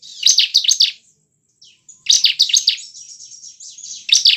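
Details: Bar-winged prinia (ciblek) lure song for caged birds: clipped high chirp groups, then a long, thin, buzzy twittering passage before another loud burst.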